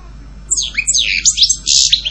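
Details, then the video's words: European goldfinch giving a short burst of song after a quiet start: a few sharp descending whistled notes, then a quick twittering flourish lasting under two seconds. "Canto jilguero Goldfinch song"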